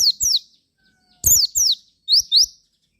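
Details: Javan white-eye used as a lure to make other white-eyes sing, giving short high chirpy phrases of rapid downslurred and upslurred notes in three brief bursts separated by silence.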